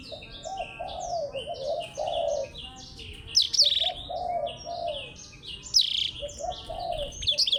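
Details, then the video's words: Singing contest between a blackthroat and a Java sparrow, with a busy high warble of slurred whistles and chirps, sharp trilled accents, and soft low hooting notes below. "BLACKTHROAT VS BURUNG GLATIK BELONG"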